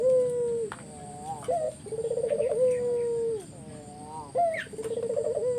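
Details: Spotted dove lure song to prompt other doves to answer: a long falling coo, a hollow phrase, then two quavering rolling coos, each introduced by a short upward note, faint hiss behind.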